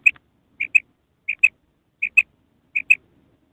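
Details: Female common quail calling: paired short high notes, each double note repeated about every 0.7 seconds, five pairs in a clean, quiet recording.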